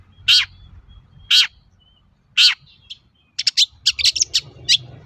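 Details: Long-tailed shrike (cendet) singing hard as a lure for other shrikes: three harsh rasping calls about a second apart, then a quick chattering burst of high chirps and twitters, over low hum.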